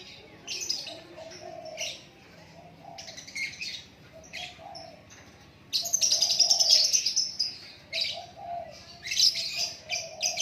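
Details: White-rumped shama (murai batu) singing naturally: varied bursts of high chirps, trills and rapid twittering phrases, some louder strained runs, with softer lower warbled notes between them and a faint background hum.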